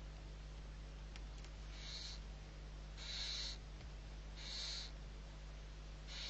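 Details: Barn owl nestlings, six owlets being fed, Riet Vell reserve, Ebro Delta, Spain, November 2023; breathy snoring hisses repeated roughly every 1.3 seconds, four in a row, over a steady low hum and a few faint clicks.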